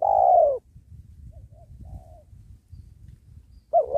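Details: Spotted dove in a trapping session by a sacred tree, calling to lure wild doves: one long falling coo opens, faint distant coos follow amid low rumble, then a loud new coo begins.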